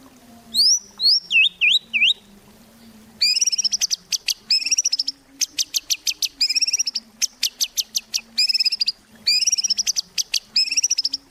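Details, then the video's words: White-rumped shama, recorded as a lure to make shamas sing: clear slurred whistles dipping and rising at first, then repeated harsh buzzy bursts and rapid high trills. "Murai Batu Gacor | AMPUH buat PANCINGAN Murai Batu Agar Bunyi"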